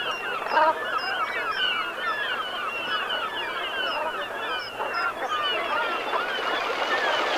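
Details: Brent geese in a flock on the Gulf of Morbihan, Brittany, France, at sunset on 7 November 2021 in autumn; dense overlapping nasal, throaty calls with many faint higher whistled notes, a continuous chorus.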